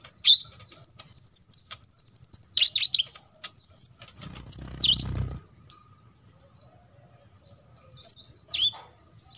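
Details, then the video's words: Olive-backed sunbird, local name kolibri ninja, singing tembakan isian meant as a master for contest birds: a rapid high stuttering trill, a few slurred chirps, a brief low rustling thud, then sparse thin notes. "KOLIBRI NINJA (KONIN) FULL TEMBAKAN ISIAN"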